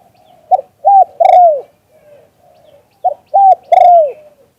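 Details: Spotted dove cooing in the Thai 'liu tan' style, recorded live. Two loud three-part phrases: a brief note, a level coo, then a drawn-out falling coo. Quiet soft coos fill the gap between them.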